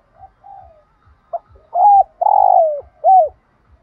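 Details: Spotted dove cooing used to stir other doves to call: soft short coos building to three loud notes, a hooked note, a long sustained coo sliding down at the end, and a final arched note, with faint regular low ticking beneath.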